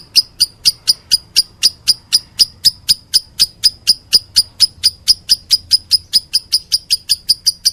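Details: Lovebird in meloloh calling style: a loud, shrill, high-pitched chirp repeated about four times per second in a steady, unbroken series of roughly thirty sharp notes, with only faint low background hum.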